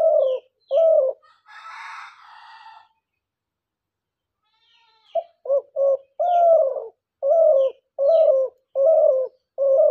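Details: A hunting decoy dove giving deep, hollow coos in short repeated phrases, roughly one every second, with a brief rustling noise early on.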